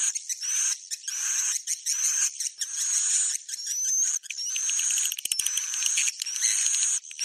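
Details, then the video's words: Shrill buzzy twittering of edible-nest swiftlets, a rainy-season mating lure call, delivered in repeated bursts roughly once a second with thin rising whistles mixed in. "SP Birahi Musim Hujan"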